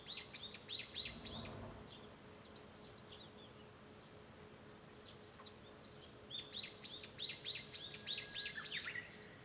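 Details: Japanese bush warbler heard from a room at home on 5 May 2013: a fast series of bright, high chirping notes, a pause of a few seconds, then a second, louder run of repeated notes ending in a short whistle.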